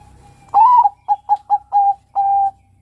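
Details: Zebra dove (Geopelia striata), a young male Bangkok-type perkutut, gives a soft, mellow cooing phrase: one longer rising coo, four quick short notes, then two drawn-out coos, all at one steady low pitch.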